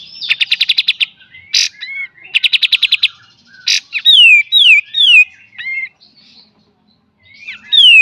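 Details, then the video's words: Kapas tembak delivering beset and tembak song as master material for cage bird training: two quick trilled series of sharp notes with a harsh burst between, then loud downslurred whistles. "KAPAS TEMBAK FULL BESET DAN TEMBAK"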